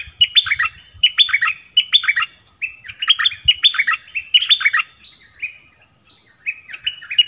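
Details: Forest recording of a decoy dok taeng bird calling a mate. Phrases of chirpy, slurred whistles repeat roughly once a second with brief gaps. Faint low thumps sound in the background.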